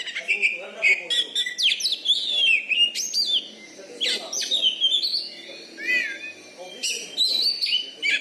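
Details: Loud caged Oriental magpie-robin, a contest champion in Bengkulu, Indonesia, whose fighting style overwhelms opposing birds. Dense continuous song of fast whistled sweeps, chatters and sharp upslurs with scarcely a pause.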